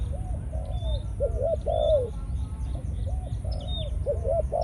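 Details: Caged Malaysian decoy spotted dove in breeding mode. Soft drawn coos alternate with doubled short notes and a louder slurred descending coo. Faint high chirps of other birds can be heard over constant low background noise.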